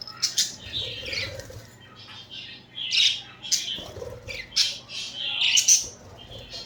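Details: Several pet budgerigars cuddling and fighting; harsh scratchy chirps and squawks come in irregular bursts, some sharp notes standing out loudly around the third and sixth seconds, over a faint low hum.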